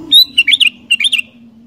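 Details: Sooty-headed bulbul singing vigorously, in a recording meant to get wild bulbuls singing: a clear opening whistle, then two quick bursts of bubbly, warbling notes, over a steady low hum.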